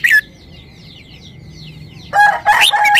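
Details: Red-whiskered bulbul singing a short song: a brief loud note at the start, then after a quieter gap a closing burst of bright, warbled, slurred phrases. A steady high whine and faint rapid chirping continue in the background.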